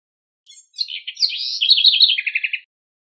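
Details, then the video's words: A house wren, said to be singing to teach its chicks, gives a quick, bubbling two-second phrase of high chattering notes and trills, ending in about six rapid buzzy notes. "CORRUÍRA CANTANDO PARA ENSINAR FILHOTES - CANTO DA CORRUÍRA ENSINANDO SEUS FILHOTES"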